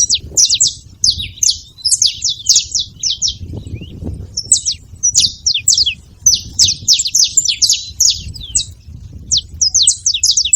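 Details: Saffron finch making noise: dense runs of sharp, high chirps and short downslurred notes, several per second in clustered bursts, with a low background rumble.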